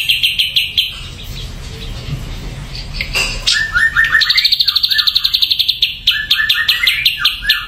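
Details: Ashy drongo singing: bright chirped notes, then a fast run of sharp repeated chips, nearly three per second, mixed with lower slurred whistles, over a steady low hum.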